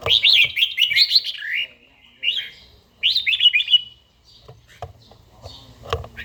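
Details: Red-whiskered bulbul singing in the morning during daily song training, a forest-voiced bird from Gia Lai; bright whistled warbling phrases come in quick rising and falling bursts separated by short pauses, with faint clicks and low thumps behind.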